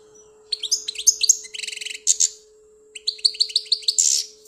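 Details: European goldfinch from Algeria singing: bursts of high, tinkling twitters and buzzy rattling trills, a pause near three seconds, then more rapid chirps ending in a harsh buzzy note, over a faint steady hum.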